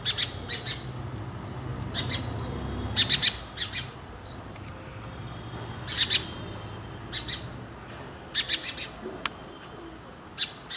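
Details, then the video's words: Indian house sparrow (Passer domesticus indicus), a bird of urban areas and human settlements, gives harsh, bright cheeps in quick clusters of two or three, irregularly spaced, with thin higher notes between and a soft background hiss. "Sounds of Indian Sparrow"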